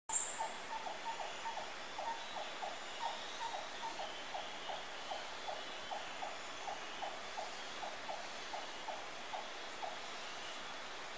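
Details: Buff-necked woodpecker, recorded 27 April 2015: soft, mid-pitched notes repeated steadily about twice a second over a constant hiss, with a brief high squeak at the start.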